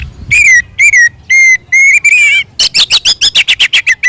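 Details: Kacer, Oriental magpie-robin, singing aggressively to provoke other birds: four clear slurred whistles with bright overtones, then a fast run of about twelve sharp buzzy chips.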